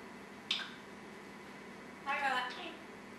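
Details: An African grey (Congo) parrot gives a short, voice-like utterance with rich harmonics after a sharp click, possibly talking or burping, in an otherwise quiet room.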